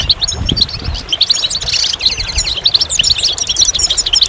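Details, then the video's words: Goldfinch song: dense, rapid tinkling twitters and buzzy trills high in pitch, notes tumbling continuously with brief pauses, over a low rumbling background. "Magical Goldfinch Songs"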